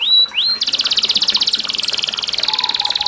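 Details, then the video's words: Canary voice with trickling water, meant to encourage other canaries to sing: two rising whistles, then a sustained, very fast buzzy trill running nearly three seconds. "MASTERAN Kenari GACOR CENGKOK MERDU Di Sertai GEMERICIK AIR Cocok Buat TERAPI PANCINGAN RAJIN BUNYI"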